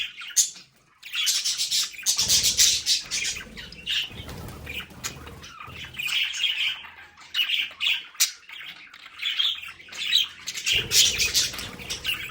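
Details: Several pet budgerigars at home in their play area giving dense, rapid, scratchy warbling and squawks, a continuous high chatter with short chirps overlapping, and occasional low rumbling noise beneath.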